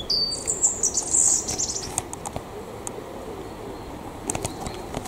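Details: Loud high-pitched phrase from a mistle thrush: squeaky, scratchy whistled notes packed into just over a second, then quieter outdoor background with scattered faint clicks.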